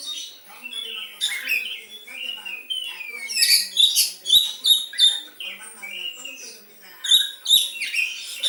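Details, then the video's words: Captive white-rumped shama imitating a sooty-headed bulbul, delivering fluid whistled slurs alternating with rapid bright chips and harsh high bursts, notes coming quickly in uneven clusters. "Kacer rasa kutilang"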